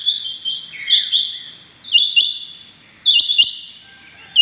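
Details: Rain quail, morning of 6 July 2021, giving high, ringing double notes in groups roughly a second apart, with softer trailing notes between.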